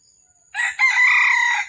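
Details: Red junglefowl at a trapping site on the morning of 13 December 2021, where a wild bird fought twice before being trapped. A close, loud crow: a clipped opening syllable followed by one long, even, hoarse note that breaks off sharply.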